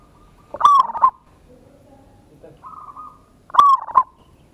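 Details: Zebra dove giving a strong-voiced lure song to provoke responses. Two bold click-led rolling coos about three seconds apart, with a quieter flat note between, in an otherwise calm setting.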